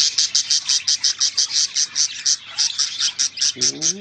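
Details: Pet bird said to be jealous, giving a fast run of sharp, high chirps, about six a second, steady and repeated, with a person's voice briefly at the end.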